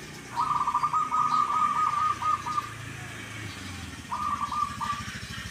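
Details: Zebra dove, locally called perkutut, prized for a song that repeats its kuk kuk phrase twice, gives a long rolling coo followed by a shorter one, over steady engine-like background rumble.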